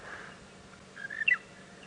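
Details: A monotonous lark (Mirafra passerina) calls on an early-morning safari drive on 3 April 2017 in a South African game reserve, where many are around and calling constantly. It gives a faint whistled phrase, then a brighter bubbly burst rising in pitch, over a soft steady hum.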